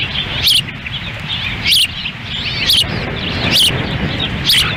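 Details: Ospreys feeding chicks at their nest in Lolo, Montana, on a windy June 10, 2017, the male nearby; sharp rising-falling high chirps about once a second, with softer twittering between and constant wind rumble.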